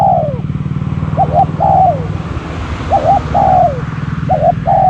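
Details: A spotted dove decoy luring wild doves repeats its phrase, a brief doubled note then a longer coo falling at the end, over continuous low mechanical droning.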